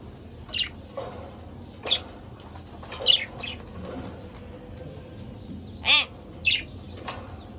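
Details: Two pet budgerigars giving scattered short chirps, with a few louder harmonic calls near the end, separated by quiet pauses and soft rustling.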